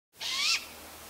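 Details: Juvenile Great Gray Owl calling out to its parents, with a sibling also calling: a single harsh, hissing screech about half a second long, rising slightly then cut off, over a quiet background.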